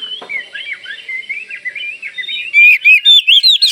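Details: Kalimantan Oriental magpie-robin singing vigorously, its song meant to make other magpie-robins answer: a fast run of varied whistled slurs, rising and falling, ending in loud buzzy, harmonic-rich notes repeated about three per second.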